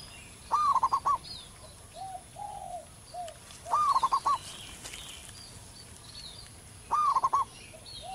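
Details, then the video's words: Wild local zebra dove singing loudly: three phrases, each a rising note followed by a rapid stutter of rolling coos near the same pitch, about three seconds apart, with softer cooing between and faint bird chirps above. "perkutut lokal manggung gacor di alam liar suara besar"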